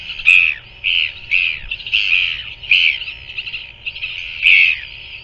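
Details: Feeding of a royal albatross chick by its parent, New Zealand, 7 February 2024 at 5:41 pm: sharp, squeaky calls repeated about every half second in uneven bursts, each note harsh and wavering.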